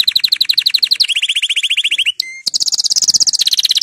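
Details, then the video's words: Canary song played to encourage other canaries to sing: rapid trills of repeated notes, first high, then dropping to a lower rolling trill, a brief pure whistle, then a fast high trill again. "canari chant ساعة لتحفيز الكنار على الغناء"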